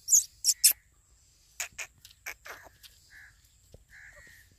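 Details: Grey francolin chicks, being fed, giving high, thin peeps and short buzzy chips in irregular bursts, with a couple of softer whistled notes near the end.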